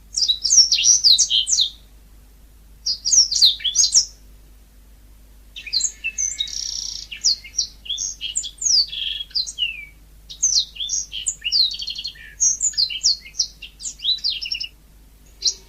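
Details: Yellow-fronted canary in lively natural song: repeated bursts of rapid, high twittering with sweeping notes, short pauses between phrases, and a longer buzzy, trilled passage in the middle.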